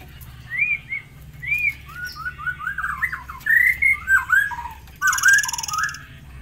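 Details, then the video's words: Tame forktail giving ngitir-style song, kept as a master song: a lively run of short whistled notes, rising and falling, quickening into loud looping phrases, then a brief buzzy rattle and more whistles. "murai air jinak ngitir"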